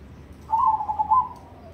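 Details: Perkutut (zebra dove), a crossing bird of cemani colour, sings in the Ketekdobel rhythm style: one soft, low cooing phrase with a few rapid pulses, fairly steady in pitch, against a quiet background.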